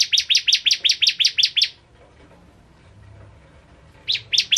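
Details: Bar-winged prinia, known as ciblek kristal, kept as a masteran bird and in full song: a quick burst of bright, repeated high chips, a silent gap, then the chipping resumes.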